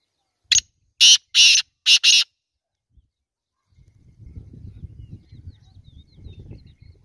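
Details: Black francolin giving a rasping call, one brief note then four coarse, buzzy bursts in quick succession, followed by silence and a soft low rumble of background noise.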